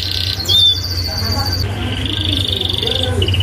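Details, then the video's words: Canary singing a loud training song meant to prompt young canaries to answer: long whistled tones and buzzy high trills held for a second or more, over a steady low hum. "Kenari Gacor isian ngerol tajam MASTERAN ampuh Kenari Bahan nyaut ❗️canary birdsong"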